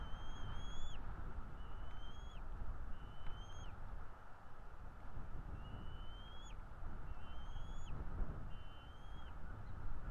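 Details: Nesting pair of bald eagles in northeast Florida, morning of 16 February 2022, calling in a series of thin, high, slightly rising whistles, each ending with a sharp downward flick, over constant low background roar.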